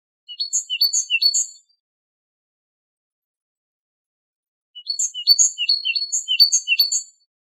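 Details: Wedani-style great tit song used to train captive great tits and goldfinches: clear, rapidly repeated high three-note figures in a short phrase, then after a quiet gap a longer, steady run of them.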